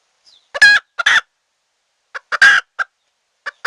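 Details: Wild red junglefowl hen call used to lure wild birds into a trap, which has already caught many. Short harsh clucks in two clusters, each a loud rasping note flanked by quicker, softer clucks.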